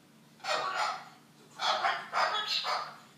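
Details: Cockatoo copying an argument between two people: two pairs of hoarse, shouted syllables, the first around half a second in, then a quick double burst later.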